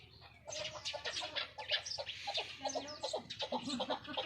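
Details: Chukar partridge from Qubodiyon, kept as a fighting bird, giving rapid, clucking chuk notes in an uneven series of about two or three a second, overlaid with sharp higher chirps and a low background hum.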